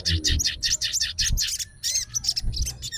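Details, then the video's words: Sooty-headed bulbul, a fighter bird in an aroused state calling out to a rival. It gives a rapid series of short, bright chattering phrases, then a few clear whistled notes, with low thumps in the background. "SOGON FIGHTER LANGSUNG RESPON DENGAR SUARA SOGON GACOR"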